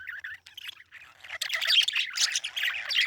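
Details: Parakeet starting with a few soft warbled chirps, then breaking into louder, denser chattering squawks for the second half.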